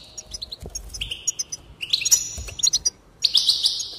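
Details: Goldfinch singing to encourage song: light chirps leading into descending buzzy trills, then a dense, bright, twittering burst.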